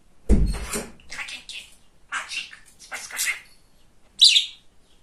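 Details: A chatty, funny male pet budgerigar, a talking bird, gives a run of short scratchy chattering bursts after an opening thump, with pauses between phrases and one sharp squeaky note near the end.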